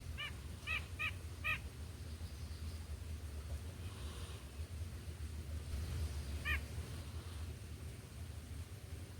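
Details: White-breasted nuthatch in a backyard giving short nasal notes, first a quick series of four and later a single one, over a steady low rumble.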